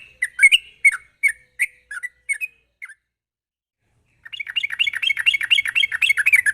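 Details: Vigorous sooty-headed bulbul song in sharp rapid style, used to trigger untrained birds: spaced bubbly notes fading out, a silence of over a second, then a fast rolling run of tightly packed chirps.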